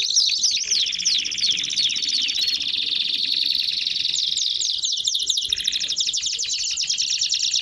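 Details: Canary giving 'baderna' song to warm up other canaries: fast descending chips, then a long sustained rolling trill, followed by a brief lower buzz and quick high rising notes.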